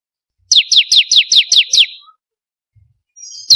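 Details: Lure recording of a bar-winged prinia, meant to get kept birds singing: a quick burst of seven sharp, falling whistled notes in even rhythm, then near silence with a faint high note at the end.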